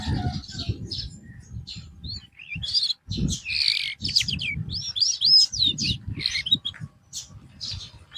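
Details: Caged canary, sung as therapy after the bird lost form, delivers a continuous run of high warbling notes, quick slurred whistles and short trills over steady low background rumble.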